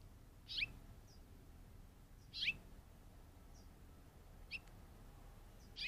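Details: Curve-billed Thrasher chirping off screen in the Arizona desert, caught on a trail cam filming a young roadrunner: sharp, high whistled chirps about every two seconds, with softer notes between them over faint background hiss.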